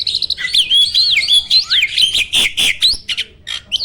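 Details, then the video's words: Fast, loud warbling from a caged Indonesian jalak starling: piercing twisting whistles and squeaks run together without pause, broken near the end by a few sharp clicks. "Burung jalak isian ISTIMEWAH!! selalu JUARA || Gacornya bukan main."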